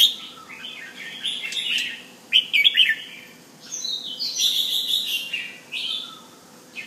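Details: Bulbul, a Penang male kept at home, displaying with fluid, warbling phrases of rising and falling whistles, broken by a brief cluster of bright chirps and short gaps of quiet.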